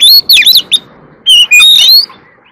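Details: Competitive singing by an Oriental magpie-robin that also dances while it sings: loud, clear whistles sliding up and down, broken by a short gap, then a rising whistled phrase.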